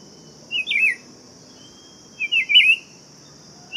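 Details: Buff-throated Saltator song: a twisting whistled phrase, then a longer run of three linked warbled notes rising and falling, and a final note beginning, against an unbroken shrill background drone.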